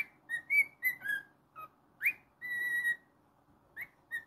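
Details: Pet cockatiel whistling a varied phrase of short notes, a steep upward slur and a long steady whistle, ending with a couple of softer rising notes.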